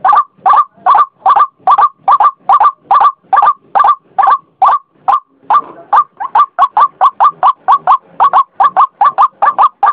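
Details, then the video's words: White-breasted waterhen (ruak-ruak) calling as a lure sound: a fast run of loud, harsh paired croaks repeated about twice a second for ten seconds, with a brief rougher patch midway. "suara burung ruak ruak"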